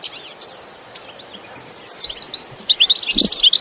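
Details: European goldfinch singing an energetic 'batbata' style song in natural surroundings without added effects: rapid high twittering phrases and tinkling notes, quieter in the middle, building into a dense burst of bright chirps toward the end.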